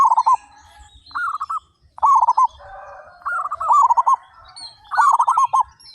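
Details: Thirty-five local zebra doves in loud song give back-to-back rolling coo phrases, several birds overlapping into an almost continuous cooing chorus, with faint high-pitched chirping behind.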